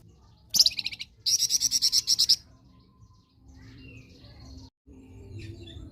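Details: Blood-breasted flowerpecker in full song, prized as a tutor bird: a short sharp phrase, then a rapid string of about twelve high, piercing repeated notes, followed by a quiet low hum.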